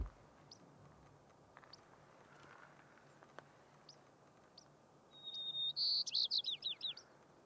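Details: White-crowned sparrow singing high on mountaintop tundra in Rocky Mountain National Park on 6-10-2022. Faint high chips come first, then a clear whistled note leads into a series of buzzy, quickly repeated trilled notes, with quiet wind noise behind.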